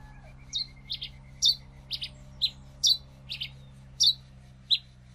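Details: Pileated finch song: about nine short, high chipped notes, some doubled, given at uneven intervals over five seconds, with a steady low hum underneath.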